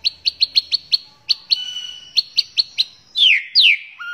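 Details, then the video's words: White-rumped shama (murai batu) training song, a lively full 'gacor' mastering recording: a rapid series of sharp repeated chirps, then two loud falling slurred whistles and a short low note at the end. "Muray Batu Gacor Full Masteran Isian Banyak"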